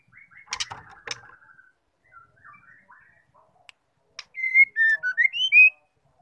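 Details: White-rumped shama, a female call meant to provoke a male: soft chirps and a few clicks, then a loud whistled phrase of six notes that dip and climb.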